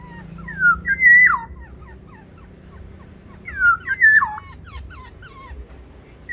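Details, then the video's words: Caged black-naped orioles battling over territory inside an aviary. Two rich, mellow whistled phrases about three seconds apart, each looping up and sliding down, with soft trailing notes between them. "Pertarungan burung kepodang di dalam aviary"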